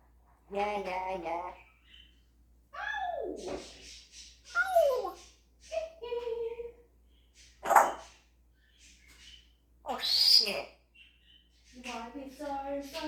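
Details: Pet African grey parrot indoors imitating rooster, horse, cat and other animal noises: a varied string of nasal harmonic calls, a steep downward-sliding squeal, sharp clicks, a harsh loud screech and a closing buzzy warble, with pauses between.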